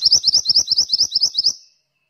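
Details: Pied bushchat (mantenan) singing actively, a rapid run of about a dozen high, sharp, upward-flicking chirps at roughly eight per second, fading out after one and a half seconds; soft low thuds accompany each note.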